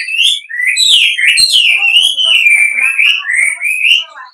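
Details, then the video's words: Wambi call used as a lure to make other wambi reply: one long, unbroken whistled phrase that wavers and slides up and down, loud and steady throughout, with faint extra tones. "pancingan wambi gacor, wambi manapun bakalan nyaut"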